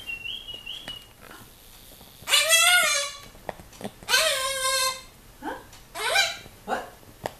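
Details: Severe macaw kept as a pet, inspecting a visitor at the window, starts with a soft whistle, then gives two long, grating squawks followed by a run of shorter, rough calls indoors.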